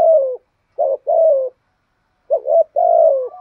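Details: Decoy spotted dove cooing: a falling coo, then two pairs of a short rising note and a longer descending coo.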